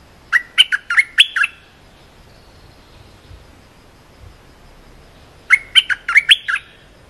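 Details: A cream-vented bulbul gives a short song used to train young birds: a quick string of five or six liquid chirps, silence, then the same phrase repeated.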